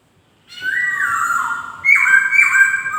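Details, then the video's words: White-crested laughingthrush singing melodiously: a clear whistled phrase that steps down from a higher note to a lower one, then a louder second phrase with a rising whistle and a falling ending. The background is quiet. "BURUNG POKSAY DENGAN BERKICAU MERDU"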